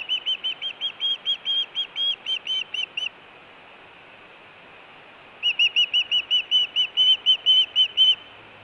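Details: Osprey at the Hellgate nest in Montana, June 2017, food calling and alert calling as a mate brings a large headless fish: two bursts of rapid whistled chirps, about two per second, separated by a two-second pause, over constant camera hiss.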